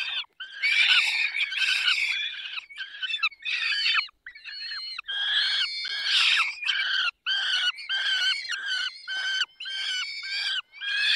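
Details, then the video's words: Harsh, nasal squawks of a peregrine falcon during feeding, 20 May 2021, 10:22, Barycz Valley, given in a long irregular string of bursts with short gaps. "Karmienie 10:22 Dolina Baryczy 20 05 2021 sokół wędrowny"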